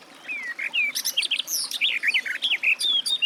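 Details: Garden warbler singing a brisk, continuous warble of rapid, varied chirps and fluty slurs, lasting about three seconds.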